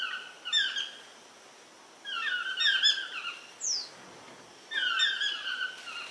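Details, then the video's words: Toucan giving repeated bursts of harsh, descending, croaky notes with rich harmonics, three bursts in six seconds, plus a single brief high rising whistle in one gap. "cri du toucan / song of the toucan"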